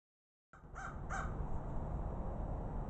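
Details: Two crows out exploring; after a brief silence, two short harsh calls come close together, then a steady low rumble of background noise continues.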